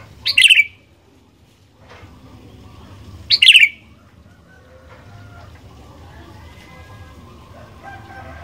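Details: Lively sooty-headed bulbul song, used as a lure for other bulbuls: two loud, rich, chirpy whistled phrases about three seconds apart, then only faint background sounds.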